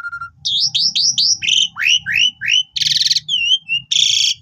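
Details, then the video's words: Asian pied starling singing gacor mompa, used as a master for young birds: a short flat whistle, then a string of quick rising and falling whistled slurs, a harsh rattling burst and more swooping notes. "Jalak Suren Gacor Mompa Cocok Buat Masteran Burung Jalak Suren Baru"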